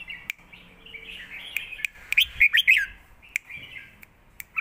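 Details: Caged red-whiskered bulbuls in a singing duel, phrase answering phrase in the southern master-pattern song style: a continuous bright warble with sharp chirps cutting through, swelling into a loud cluster of liquid notes midway.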